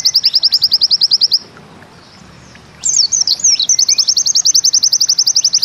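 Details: White-eye, called pleci, in Bustomi-style song: a fast high chipping trill stops, silence follows, then twisting high twitters give way to another rapid 'ziperrr' zipper run.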